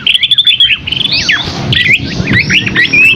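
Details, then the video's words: Scaly-crowned babbler giving a rich, busy song of bright whistled trills and downward-sweeping notes, repeated in quick succession with barely a break. "Masteran Burung Asi Topi Sisik GACOR isian MEWAH Burung Kecil Suara Sultan"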